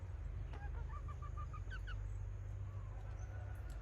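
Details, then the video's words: Red junglefowl decoy hen giving a kataak cackle: a run of about eight short, nasal, evenly spaced notes that climb slightly, then a couple of higher quick notes, over a constant low rumbling background. "แม่ต่อสายกะตาก poj qaib tsauj zoo"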